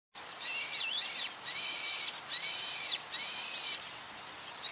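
Brown-eared bulbul giving loud, harsh, screechy calls, four rasping notes each lasting under a second, repeated with short pauses; faint background hiss.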